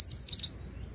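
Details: Female Black-winged Flycatcher-shrike, kept as a lure for training other birds: loud high whistled phrase of three to four slurred notes, each slightly descending, over about half a second, then quiet.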